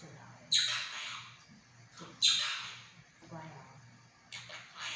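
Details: Talking pet monk parakeet indoors giving loud, rough squawks that burst out suddenly and trail away, roughly every one and a half seconds, over a faint steady room hum.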